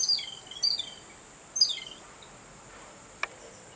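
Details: An excited babbler reacting to a cat utters three quick bursts of high, squeaky, downslurred chirps, then a single sharp click, with a steady hiss behind.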